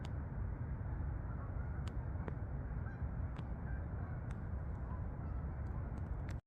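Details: Geese flying out to the fields over Farmington, Connecticut meadows; sparse distant honks rise and fall under dominant low rumbling noise, with several sharp clicks, ending abruptly.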